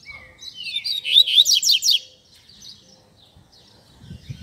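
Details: Double-collared seedeater song of the 'tui tui zel zel' style, used for training young birds: a rapid series of buzzy high notes repeated about three per second, then quiet.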